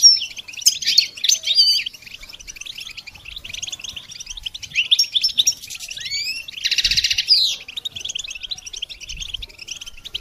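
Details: Goldfinch song used to stimulate and train songbirds: a dense, fast, high twittering of chirps and short trills, with a harsh buzzy burst near the seventh second before the chattering resumes.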